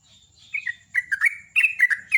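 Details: Sooty-headed bulbul in morning song, ngecruk style: soft high notes lead into loud, gurgling, slurred whistles delivered in quick clusters.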